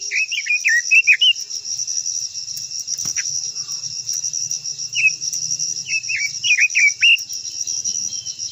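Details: Japanese white-eye giving a long singing phrase used to make other white-eyes sing: a fast warbled run at the start, a pause, then scattered and clustered high twisting notes near the end, under a steady insect buzz.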